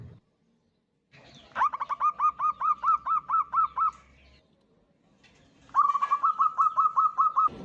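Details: Female zebra dove luring a male with her call: two separate bursts of rapid, evenly spaced clipped notes, around a dozen in the first and ten in the second, with silence between them.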